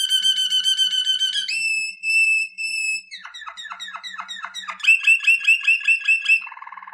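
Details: Waterslager (Malinois) canary song for training, moving from rippling trills to pure held rolling notes, a run of sharp descending clicks, quick bubbling notes and a low closing buzz.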